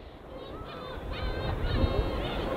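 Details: Gulls over the winter East Sea, flocking in group flight, give a few short, rising then falling mewing calls over a steady low rumble of gentle waves.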